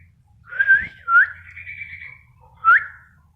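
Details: Actively singing spotted bulbul: a slurred whistle, then a rising note leading into a long, softer buzzy trill, and a final sharp upslurred whistle about a second and a half later.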